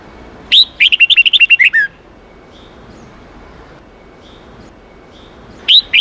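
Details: Red-whiskered bulbul training song in the 8-9-10 note wild style: a rapid string of about nine bright chirped notes ending in a downslur, faint thin whistles in between, and a new phrase beginning at the end.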